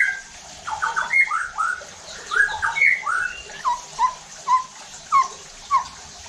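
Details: White-rumped shama singing to provoke other shamas into rough song: rich tumbling whistled phrases, then a series of short descending whistles repeated roughly every half second.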